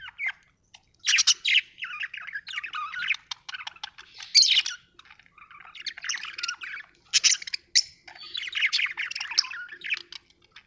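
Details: Happy budgerigar chirping: warbled chatter of squeaky chirps and short trills in bursts separated by brief pauses, clear with no background noise.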